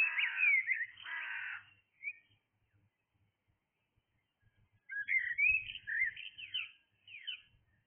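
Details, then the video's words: Early-morning blackbird song with rich, warbling fluted phrases that open and resume after a silent gap, broken by a short harsh caw-like burst and faint low rumble in the background. "Blackbird singing"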